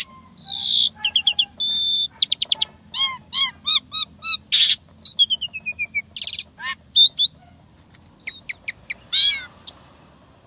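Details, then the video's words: Asian pied starling singing actively in a mimicry-filled performance. Loud varied phrases of clear whistles, repeated downward-sweeping notes, harsh squawks and quick rattling trills run almost continuously, with a low background hum. "Jalak Suren Isian Tembakan Mewah Gacor Full Isian Suara Unik Kreasi Terbaru"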